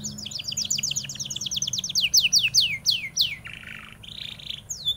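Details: Canary song used for tutoring white-eyes: a rapid trill of downward-sweeping notes, about three per second and slowing, followed by two short buzzy notes, with a faint low hum underneath.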